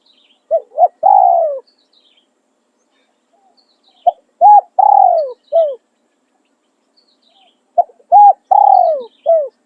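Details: Spotted dove used as a decoy bird, in Thai khan riak and khan yon cooing styles: three song phrases about four seconds apart, each of two or three short hooting notes, then a long, falling, purring coo and a brief closing note; quiet background.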